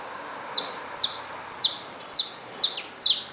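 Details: Saffron finch kept in a cage alongside just-hatched young, giving six sharp, high-pitched chirps that drop quickly in pitch, roughly two per second, against faint constant background noise.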